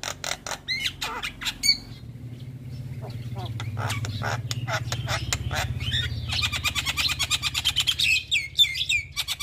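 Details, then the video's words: Non-stop song from a highly active Javan pied starling: fast chattering chips and squeaky whistles, turning into a dense, rapid burst of scratchy notes near the end, over a steady low droning hum. "Ocehan Jalak Kebo Super Gacor Tak Henti Bunyi"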